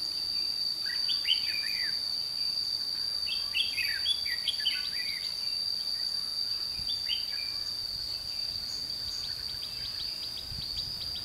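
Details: At Chùa Hương on 22 June 2016, during trapping, a red-whiskered bulbul gives several lively, slurred, chirping phrases in the first half, followed by fainter ticking notes, against a continuous high-pitched insect buzz.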